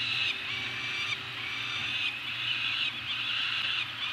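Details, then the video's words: Two Peregrine falcons on Anacapa during a food drop, 28 May 2018: harsh, nasal, drawn-out wailing calls repeated about once a second over a steady low hum. "Anacapa Peregrine falcons; food drop."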